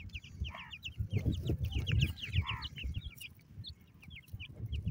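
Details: Several partridge chicks give rapid, thin, downslurred peeps, roughly two per second, in loose overlapping runs above a continuous low rumble and knocking.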